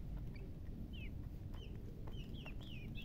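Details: Baby chicks give scattered, thin, descending peeps, some in quick pairs, against constant low background noise.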